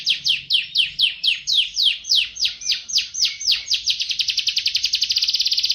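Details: Canary (Serinus canaria) master song used to teach other birds: loud downward-sweeping whistled notes about four per second that speed up into a dense, rapid trill.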